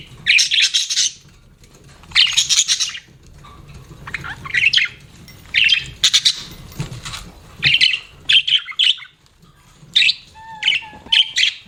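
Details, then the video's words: Pet budgies chirping in a string of scratchy, chattering bursts and quick high notes, coming in clusters with short pauses and a faint low hum. "BUDGIES CHIRPING SOUND"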